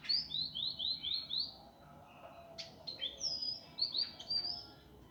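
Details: Master recording of an indigo flycatcher meant for training birds, in a rough, fast, dense style: a run of six slurred whistled notes, then sharp chips and more high, drawn-out whistles.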